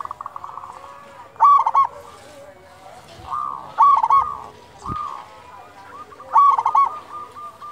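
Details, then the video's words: Local Zebra Dove in full song with a big voice, used as a lure to get other doves singing: loud, bubbly rolling coo bursts at roughly five-second intervals, with softer repeated cooing notes between them. "Perkutut lokal gacor suara besar cocok untuk pancingan burung perkutut agar bunyi"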